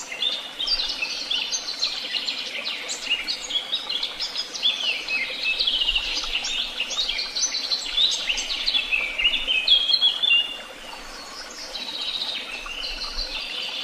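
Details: Lively bird chorus with many overlapping chirps, trills and whistled phrases for about ten seconds, a brief quieter lull, then softer twittering resumes.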